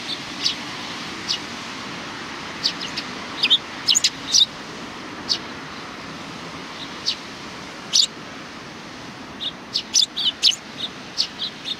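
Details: Welcoming sparrows on 27 July 2020 chirp in scattered high notes that become a quicker run of chirps toward the end, heard over a steady wash of traffic-like background noise.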